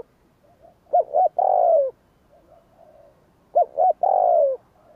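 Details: Spotted dove calling to stimulate wild birds, two phrases each of two short arched coos followed by a long rough descending coo, over a faint background hiss.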